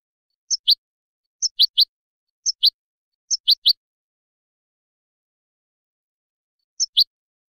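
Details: European goldfinch sounds played so goldfinch chicks and hybrid young can hear them: short, sharp, high double and triple call notes in four quick bursts about a second apart, a long silence, then one more burst.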